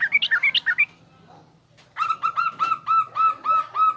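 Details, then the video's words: Yellow-vented bulbul song in garuda and rough ngriwik styles for teaching young birds: a fast warbled run of high chirps, a pause, then a steady series of about eight evenly spaced, lower, ringing notes. "suara burung trucukan garuda lanjut trucukan ngriwik kasar ini pas tuk terapi trucuk muda ajar bunyi"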